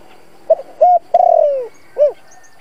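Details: Single cooing phrase from a lure spotted dove meant to draw wild doves: brief note, steady held coo, long downward-sliding coo and a short arched final note, with faint high hum.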